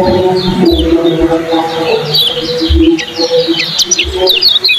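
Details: Yellow kecial, a competition bird, singing rapid 'ciak' notes: quick high twittering chirps, with low droning coos and faint thuds in the background.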